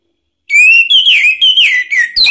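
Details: Orange-headed thrush song used as a lure to provoke another bird to sing: a clear run of loud, high whistled phrases sliding up and down, delivered almost without pause after a brief silence.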